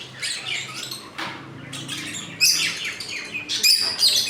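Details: Breeding colony of lovebirds, many birds indoors: scattered shrill chirps and sharp squeaky notes, quieter at first then louder clustered bursts toward the end, over a low steady hum.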